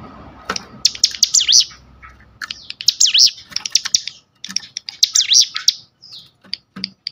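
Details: Sunda bush warbler in full ngebrem, used as a training lure: uneven bursts of high, chattering notes that swoop down and up, mixed with sharp clicks and short gaps.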